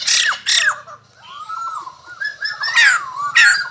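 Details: A white-crested laughingthrush (bồ chao), singing after being fed a gecko, gives two loud downslurred calls, then a soft wavering whistle, then two more loud, sweeping harsh notes.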